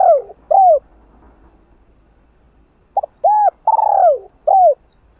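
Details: Spotted dove in the 'hạp bổi' cooing style, continuous urging calls used to excite another dove. Short, rounded, arched coos, two early, then a pause of about two seconds, then a quick run of four, one longer and drawn out. Quiet background.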